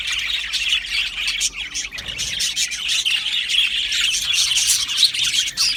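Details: Australian budgie parrots kept as an aviary colony produce a busy, overlapping chorus of shrill chirps and scratchy warbling notes. Short bursts recur irregularly, roughly one and a half per second.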